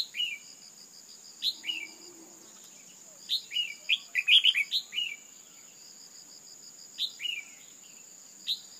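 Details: A female Red-whiskered Bulbul gives short, bright, hooked chirps in loose bursts, several quick notes together, over a steady high insect drone; her calls are used to stimulate a male into fiery singing.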